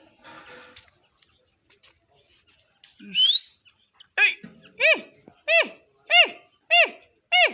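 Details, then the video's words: Grey francolin calling: after a quick rising squeal, a run of loud, ringing, down-arching notes repeats about every 0.6 seconds, with faint scratchy background sounds at first. "Dakhani titar ki awaz"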